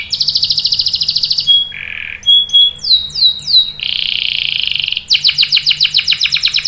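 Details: Canary lure song to prompt other canaries to answer; fast trill, a lower rough burst, short whistles and downswept notes, a buzzy roll, then a rapid sweeping trill.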